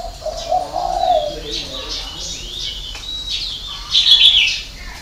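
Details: A low, drawn-out dove coo opens the recording, from a spotted dove of the Vietnamese '6 tiếng' six-note cooing type with a 'hậu 3' ending. Shorter soft notes follow amid busy high-pitched chirping from other small birds.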